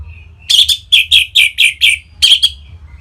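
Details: Song of an orange-headed thrush meant to set other birds singing: a steady series of loud, full chirped notes, roughly three per second, each bright and slightly buzzy, with a faint low hum.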